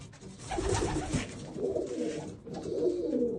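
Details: Pet Old German Owl pigeons giving low, throaty rolling coos in a small room, two swelling bursts separated by a short pause, with a faint rustle.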